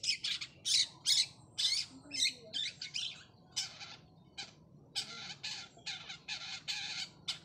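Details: Long-tailed shrike of the 'trotol' type calling out for a rival: rasping, scratchy high notes grouped into quick clusters, pausing briefly, then resuming with a steadier run of grating bursts.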